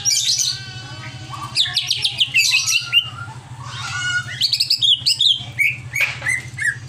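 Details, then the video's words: Caged greater green leafbird, over-excited, giving harsh buzzy chatters, slurred whistles and quick high chips in rapid succession, over a steady low electrical-like hum. "CIRI CUCAK IJO OVER EMOSI"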